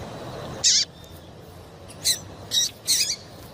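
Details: Four separate calls of a female double-collared seedeater, given to get the male singing: sharp, high notes with a down-curving tail, spaced irregularly over a quiet background.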